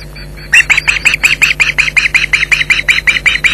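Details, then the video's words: Alarm calls from Ospreys defending their Loch Garten nest from an intruder: after a short pause a loud, fast, even train of sharp yelping notes begins and runs on, with a steady hum underneath. "Intruder Alert"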